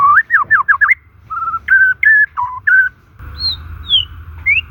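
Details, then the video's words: Natural white-rumped shama song used to stimulate stalled or stressed shamas: a fast run of looping whistled notes, then level and dipping whistles, ending with a few sparse high slurs over a faint steady tone. "Suara alami murai batu ini SANGAT COCOK untuk pemikat murai MACET dan SETRES"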